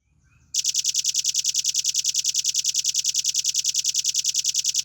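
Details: Velvet-fronted nuthatch recording for training caged birds: sharp, very high notes repeated steadily about three times per second in a fast, even chatter that starts abruptly and runs without pause.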